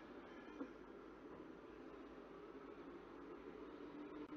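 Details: Steady broadband hum and rumble fill the whole stretch, with only a faint brief click and no clear animal call.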